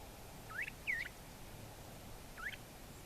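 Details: Northern mockingbird in Kimble County, Texas, on 26 November 2014, giving three short, rising, slightly scratchy notes, two close together and one after a pause, over steady hiss and low rumble.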